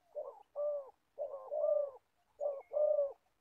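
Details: Old decoy spotted dove kept for trapping wild birds in Gia Lai, Vietnam, calling in deep throaty coos arranged as a brief note followed by a longer drawn-out one, three pairs in sequence.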